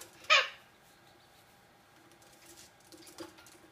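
A golden parakeet gives one loud, harsh, rasping screech near the start, followed by faint clicks and shuffling in a quiet room.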